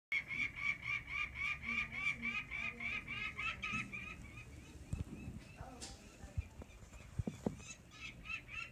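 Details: Peregrine falcon (Falco peregrinus) alarm call while protecting its young chicks and territory: a harsh, rapid kak-kak-kak series, almost four notes a second, fading after a few seconds, with scattered knocks and thumps.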